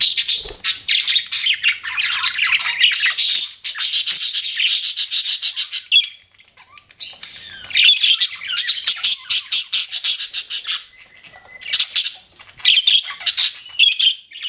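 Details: Pet budgerigars chirping: dense, scratchy warbling chatter in quick rapid bursts, pausing briefly near six seconds and again after eleven seconds, with short squawky notes mixed in; no other sounds stand out.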